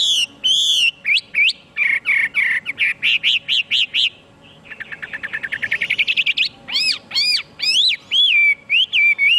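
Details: Chinese hwamei in full song: loud looping whistles, a short lull, then an accelerating series of rising notes building in volume, ending with bright swooping whistled phrases.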